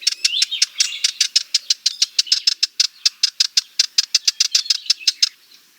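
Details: Sardinian warbler, a warbler of Mediterranean scrub, bushes, gardens and open woodland, giving a long fast dry rattle of about forty sharp clicking notes, steady and even, running nearly five seconds before stopping; no other sounds.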